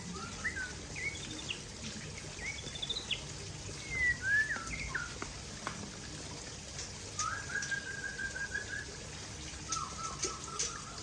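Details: White-rumped shama of the Aceh type singing while sunbathing: soft, separate whistled phrases, some rising and falling, others long level notes, scattered across a steady background hiss.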